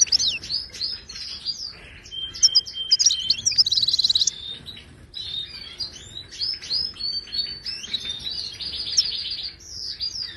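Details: Wild Moroccan goldfinch singing, a recording meant to teach caged goldfinches to sing: fast twittering of high chirps and slurred whistles, with a dense buzzy trill near the fourth second, then more liquid twitters.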